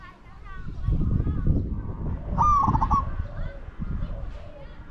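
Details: One broken, rolling coo from a spotted dove used as a decoy for wild doves, heard amid heavy low rumbling and handling noise.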